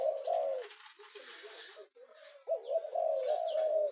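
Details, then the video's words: Repeated spotted dove coos, an urging call for quickly stirring up a rival bird: loud, rounded low notes run together, a brief quieter gap, then a sustained run of cooing, recorded indoors. "Tieng chim cu gay thúc kèm kích bổi nhanh nổi"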